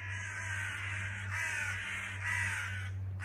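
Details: A crow parent excited over a chick that dropped from the nest onto a house doorstep gives drawn-out, rasping croaks running almost together, with a constant low hum behind.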